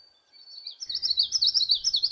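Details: Male Common Yellowthroat singing in the breeding season: a loud, rolling run of quick, high 'wichety' phrases repeated rapidly after a faint thin note, with no other sounds standing out.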